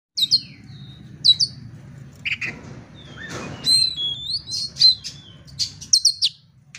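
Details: Oriental magpie-robin song used to provoke fighting. Loud, varied phrases of sharp high whistles, downslurred notes and short buzzy bursts, with a rough noisy stretch near the middle. A steady low hum runs underneath.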